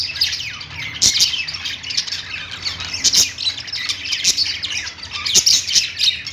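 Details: Parakeets singing in a pet store from their perch, rapid high chattering and scratchy warbles from many birds at once, broken by louder sharp chirps.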